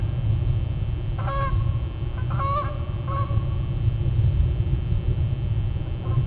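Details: Two geese flying straight toward the recorder on 11 May 2012 around 06:20 in the morning, giving a few short nasal honks in a brief burst over a loud low rumbling background of wind or traffic.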